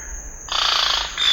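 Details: Scarlet-rumped cacique producing a short, harsh, buzzy rattle of rapid pulses, ending in a higher, thinner note, with a constant high background tone.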